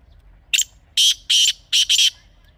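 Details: Strident grey francolin phrase, recorded as a hunting call: one short introductory note, then four loud, harsh syllables, the last two almost fused, set against a quiet background.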